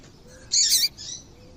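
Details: Female double-collared seedeater call, used to make males sing: a short, loud burst of high buzzy chirping, with fainter high notes before and after it.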